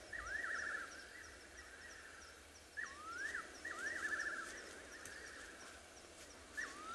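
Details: Several wild fiery-necked nightjars calling at night at Ngala Private Game Reserve, South Africa, 16 September 2021: repeated quavering, slurred whistles that dip and rise, roughly every one to three seconds, with soft cricket chirping higher up.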